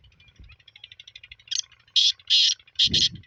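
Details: Black francolin in Sindh, Pakistan: after soft, rapid ticking in the background, three or four loud, harsh, grating notes burst out in quick succession.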